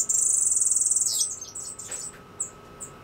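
A Cuban grassquit gives a very high, thin buzzy trill lasting about a second, then breaks into a few sharp, squeaky twitters.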